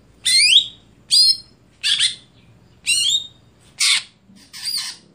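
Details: Greater green leafbird: six short harsh phrases, some rising slurred whistles and some raspy squawks, spaced about a second apart.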